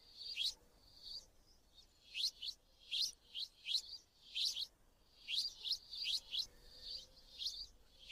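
A sparrow gives sharp, bright chirps in quick irregular bursts of two or three, about eighty a minute, over a faint steady background hum.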